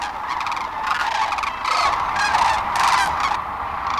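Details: Sandhill cranes taking off from a river roost near North Platte, Nebraska, early morning, March 25, 2012; loud rattling, rolling calls come in bursts over a continuous massed chorus of thousands of birds.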